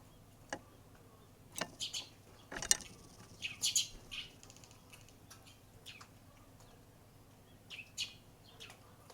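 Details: Wild Eurasian tree sparrow in Japan, the first one to visit that morning before flying off: short high chirps in scattered bursts, some in quick pairs, with a few wing flutters and a faint low background hum.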